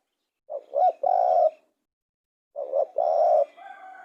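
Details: Two spotted dove phrases about two seconds apart, each two quick rising coos followed by a long even coo, with a faint extra tone trailing at the end.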